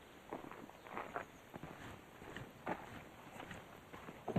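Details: Irregular footsteps crunching outdoors over a quiet background, without any animal calls.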